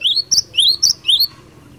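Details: Cinereous tit in fighter song aimed at making other birds reply: a brief burst of high, thin slurred notes alternating with sharper upper notes, three quick pairs.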